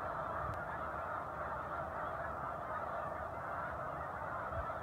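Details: A big gathering of Snow Geese resting on Cayuga Lake near Romulus and Aurora, New York, in December 2023, giving a thick wall of overlapping honks, steady throughout, with no single bird standing out.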